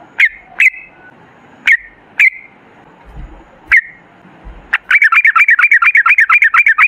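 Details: Sooty-headed bulbul, 'ropel' style singing used to lure bulbuls into responding: five spaced sharp, falling chirps, then a long, rapid, continuous stream of bubbly warbling notes.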